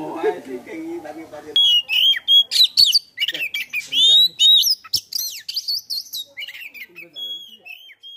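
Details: A tame Asian pied starling sings vigorously in the late afternoon, while people pass time before breaking the fast. A low human voice opens the recording. Then come loud, jumbled phrases of clear rising whistles, harsh squawky notes and rapid chattering bursts, with short pauses between them.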